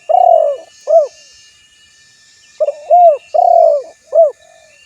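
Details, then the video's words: Spotted dove calling a rival, recorded to lure other doves: a long low coo followed by a short clipped coo, the two-part phrase given twice with a pause between, over faint high hiss. "Suara Burung Tekukur Memanggil Lawan"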